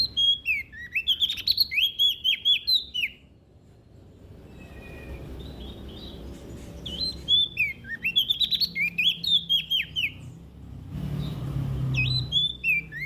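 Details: Olive-backed tailorbird from West Nusa Tenggara in vigorous song, meant to stimulate other birds. Two dense bursts of fast, sharp, descending chirps several seconds apart, with a quiet gap between them and a low rumbling background.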